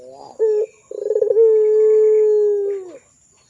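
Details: Pelung-style Barbary dove singing steadily as a lure for young birds: a brief coo, a pause, then rapid throbbing pulses running into a single drawn-out, even, low hum-like coo that bends downward as it fades.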